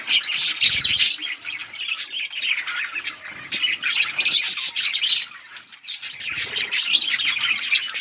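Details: Several colourful budgerigars chirp in a fast, scratchy chatter of high twitters and squawks, rising and falling in loudness, with brief dull knocks beneath.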